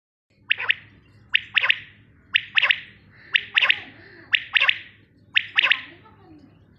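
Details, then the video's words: A common quail gives its sharp, liquid three-note 'wet-my-lips' phrase about once a second, six times over, against a faint low background hum. "common Quail live sound /Batir ki live awaz"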